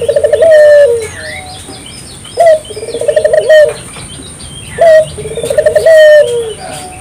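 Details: Barbary dove in vigorous song, played to stimulate local doves to join in: low cooing phrases, each a short note followed by a longer rolling, purring coo, repeated every two to three seconds, with faint chirps of other birds and a steady high whine.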